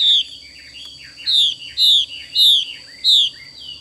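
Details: Female Chinese hwamei in xùy calling: four strong downward-slurred whistles spaced roughly 0.6 seconds apart, with softer short twittering notes between them.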